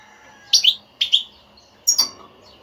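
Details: European goldfinch in a motivating batbata twitter intended to prompt a silent goldfinch to sing: three quick, bright, slurred chirp pairs roughly half a second apart.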